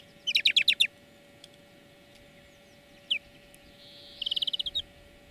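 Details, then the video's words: Greenfinch song played to teach other birds to sing: a quick rattle of six twittered notes, a lone chirp, then a buzzy note running into a fast even trill, with a constant background hum. "Florya Ötüm Dersi"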